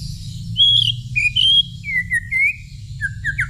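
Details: White-rumped shama (murai) answering a whistle: clear whistled phrases, first long steady notes, then a string of short downslurred whistles and quick rising flicks near the end, over a low steady hum.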